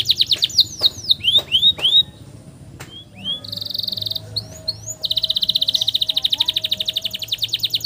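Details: Canary singing a long roll used as master song for training young canaries: series of down-slurred whistled notes, a brief buzzy trill, rising chips, then a long rapid rolling trill repeated steadily to the end.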